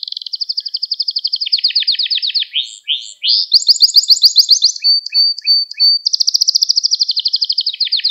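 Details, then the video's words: Canary in song, kept to give young canaries a model to learn from: loud, clean, high rolling trills, each held for a second or two, shifting pitch from tour to tour, with a pure sustained whistle midway and faint extra chips. "Kanarya Sesi Ve Ötüşü"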